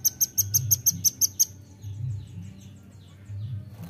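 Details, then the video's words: Nuthatch call used as a lure: eight loud, evenly spaced, high-pitched chips in quick succession, then fainter echoing notes over a low hum. "PANCING BUNYI RAMBATAN"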